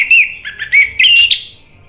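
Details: Orange-headed thrush song from a lure recording intended to make a bird sing: a short run of loud sweet whistles with a sharp flick, trailing into a soft fading tone.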